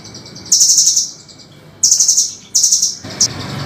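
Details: Velvet-fronted nuthatch, sung harshly and sharply for teaching other songbirds: three rapid bursts of piercing high chips with short silences between, then one isolated note over faint low rumble.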